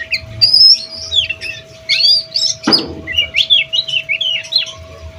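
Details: Oriental magpie-robin practising its song repertoire: quick bright whistled and chirped notes in shifting phrases, one harsh broad burst mid-way, then a string of similar rising chips; constant low hum and faint knocking behind.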